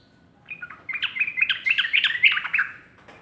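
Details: Morning song of a sooty-headed bulbul: a rapid, bubbling run of fluty slurred notes, rising and falling over about two seconds against soft background hiss.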